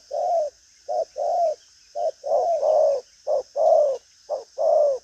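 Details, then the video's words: Spotted dove with a bustling cooing style repeats a short low coo followed by a longer, drawn-out falling one, in quick succession over a few seconds. "Đồng pha chân cua cứng gù| Nết chơi lăng xăng, thúc gù có lèo"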